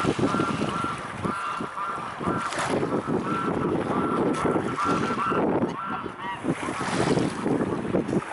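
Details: Mute swans at the Blaues Wunder in Dresden. They give short, hoarse, nasal honks with a clear tone, repeated irregularly over several seconds. Heavy wind rumble and lapping water run beneath the calls throughout.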